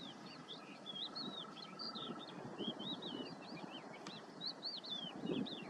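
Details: A steady stream of thin, slurred high notes, rising and falling quickly, possibly from several western yellow wagtails (subspecies Motacilla flava superciliaris), over a low rumble of wind or distant traffic.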